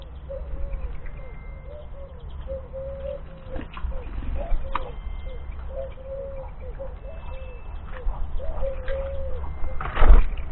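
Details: A Eurasian Collared Dove in a garden in February 2021 coos in soft, low, hollow notes, repeated steadily through the clip, over a deep background rumble with faint thin calls of other birds.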